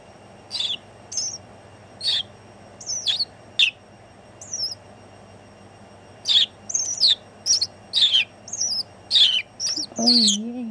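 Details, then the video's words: Tame house sparrow singing a New Year's song from the shoulder of a House Sparrow Conservation Holland board member, Netherlands, 1 January 2016 at 14:39; spaced, sharp, high chirps, then a quicker run of repeated chirps, with a brief low humming sound near the end. "Happy Newyear Song from Toobie House Sparrow to the world"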